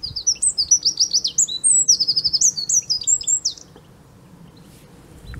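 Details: Eurasian wren pouring out a loud, high, rapid song of sharp notes and rattling trills for nearly four seconds, then quiet background; recorded 5 March 2015 at De Kleuter, Uden.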